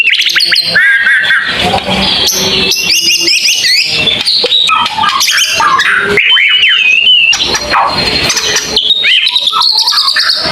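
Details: White-rumped shama singing in the long-burst style known as tembakan panjang: loud, dense, varied whistles with rapid upward and downward sweeps, buzzy notes and short trills running almost without pause.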